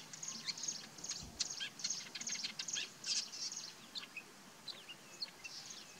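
A Bay-backed Shrike mimicking another bird: a fast, varied run of high, thin chirps and scratchy notes, then a few rising whistles. Faint background hiss.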